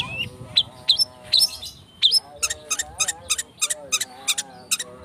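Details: Song of a long-tailed shrike as a lure to trigger singing: varied hooked and whistled notes, then a regular series of sharp clicking bursts, with soft sustained tones in the background.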